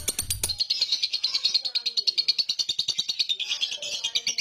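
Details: Lovebird giving ngekek, a long chattering song, while falling asleep; rapid high buzzy chatter pulsing about three times a second, held steadily throughout, after a brief low thump at the start.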